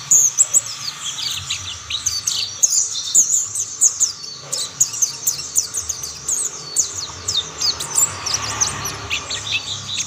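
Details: Mountain white-eyes singing, with other birds soon joining: dense, high, piping twitters and short slurred notes repeated in rapid bursts throughout, over a quiet low hum.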